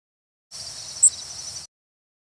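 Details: Yellow Warbler flight call, as given by migrants overhead in spring or fall: a single very high, brief 'zeep' that is level, a rough buzz, dry rather than liquid and varying slightly in pitch, over a steady background hiss.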